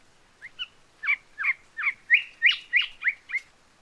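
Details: Island whistler (Pachycephala phaionota), a bird of wooded small islands, sings its jumbled whistled song: a quick run of about ten clear, slurred notes, mostly high and mid-pitched, roughly three per second, over a quiet background.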